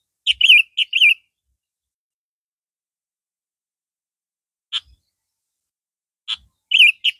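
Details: Red-vented sooty-headed bulbul kept in a cage, in a comparison with the yellow-vented form, sings two short warbling phrases, then single sharp notes spaced far apart and another quick phrase; soft low knocks.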